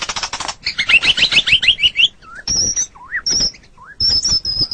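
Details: White-rumped shama masteran song: a buzzy high rattle, then a tumbling warble, then low looping whistles alternating with thin high sustained notes.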